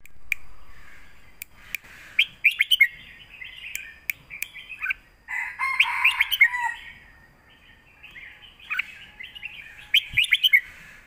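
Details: Red-whiskered bulbuls caged for a singing contest, southern master style: overlapping warbles and chatter, a dense busy patch mid-way, scattered clicks, and a final quick burst of rising whistles.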